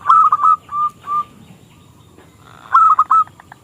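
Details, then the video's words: Zebra dove of a local Indonesian strain, prized for a small crystal voice and used as a lure to set rival doves singing: brief clusters of clear cooing notes separated by a quiet pause. "Perkutut Lokal Gacor suara KECIL Kristal AHLINYA untuk pancingan perkutut lawan MANGGUNG"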